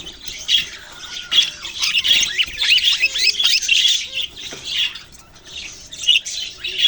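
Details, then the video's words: Budgies chirping on November 6, 2023. Clear, short down-slurred whistles and squawky chirps stand out over soft background chatter, which grows quieter near the end. "Budgies beautiful colours and chirping sounds"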